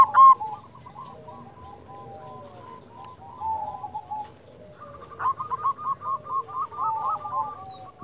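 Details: Zebra dove from Indonesia used as a lure to provoke other doves into calling back; a loud opening note, then soft rapid cooing that swells into a clearer run of quick, even-pitched notes over low background rumble.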